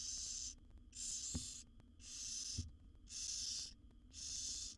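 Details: Wild barn owl owlets, seven young in a monitored nest box, beg as their mother feeds them; five harsh, hissing snore-like bursts about a second apart, each roughly half a second long, with faint soft knocks between.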